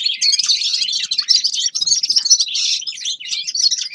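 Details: Grey-crowned goldfinch: a bright, nonstop twittering song of tightly packed buzzy trills and chirps.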